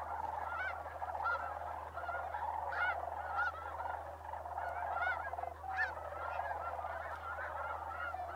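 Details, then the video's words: Bosque del Apache Wildlife Refuge, New Mexico, December: a migrating sandhill crane flock gives a busy chorus of calls, with loud, sharply arched honks standing out roughly every half second over a steady hum. "Sandhill Crane Migration at Bosque Del Apache"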